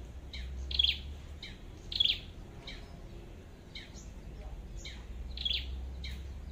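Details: Flowerpecker at a trapping site: sharp, high ticking chip notes, with three louder clicks spaced over about six seconds among fainter chips, over a steady low hum.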